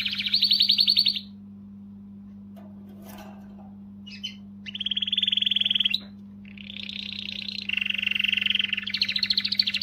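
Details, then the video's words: Canary singing to motivate females: loud buzzy trill, then brief pause with faint clicks, then a steady rolling trill and fast rattling phrases, over a constant low electrical hum. "تغريدة قوية من الكناري لتحفيز .. The strongest tweet from the canary to motivate"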